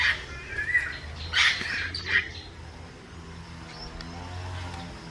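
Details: Wild African grey parrots feeding on fruit; three loud harsh squawking calls in the first two seconds, followed by quieter faint whistles over a steady low hum.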